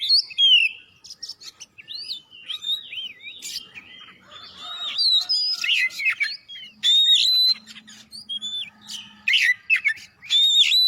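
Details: Oriental magpie-robin in lively song as a lure for other birds: a long, varied stream of looping whistles, sharp chips and harsh notes, with loud phrases repeating near the end and a faint low hum in the background.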